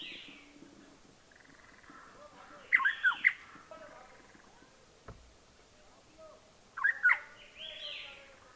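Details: Rusty-cheeked scimitar babblers foraging in Himachal Pradesh, India, giving two bouts of loud, fluty, bubbling phrases a few seconds apart, with other softer bird notes and a low thump between them.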